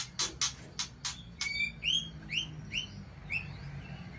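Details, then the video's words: Aceh white-rumped shama in the Balak Sabang poligami style: a series of sharp dry clicks, then four or five clear rising whistled upslurs spaced about half a second apart, with a low background hum. "Murai Aceh + Balak Sabang Poligami"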